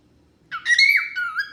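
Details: A pet cockatiel sings its natural song, a brief, bright whistled phrase with a harsh, squawky edge, warbling up and down.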